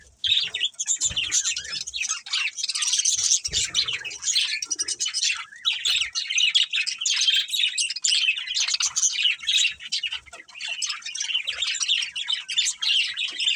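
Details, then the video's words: Continuous chattering warble from a breeding pair of budgies, busy high scratchy chirps running without a break, with a few soft knocks underneath. "Cute Budgies Chirping Sounds | Love Birds Breeding Pair"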